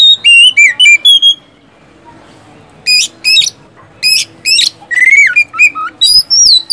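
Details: Oriental magpie-robin song used to prompt caged birds: opening whistled notes, a long pause, then scattered harsh buzzy bursts, a rising slur and closing whistles over faint low hum.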